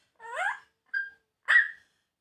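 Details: Grey parrot talking in Punjabi: three short mimicked speech sounds, a rich harmonic phrase, then a brief clear tone, then a louder harmonic burst, indoors.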